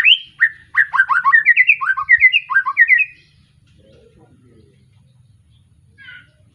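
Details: Young white-rumped shama, just past its juvenile moult, singing a lively burst of varied whistles and quick rising-falling slurs for about three seconds, then near quiet with one faint short phrase.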